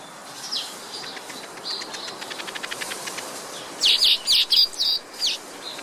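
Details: Black-headed weaver giving a soft accelerating train of ticks, then a burst of loud, emphatic, high chirps in quick succession and a final thin note.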